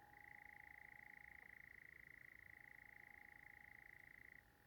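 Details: European nightjar churring on a hot, sultry July 9 evening in tinder-dry Sherwood Forest, one of at least two churring nightjars: a steady, unbroken mechanical trill held on one pitch for over four seconds, then breaking off abruptly.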